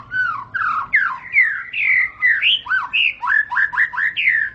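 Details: Murai batu, the white-rumped shama, singing to make other shamas answer: loud, clear whistled notes with sliding pitch, ending in a quick, rhythmic run of short, hooked, repeated notes.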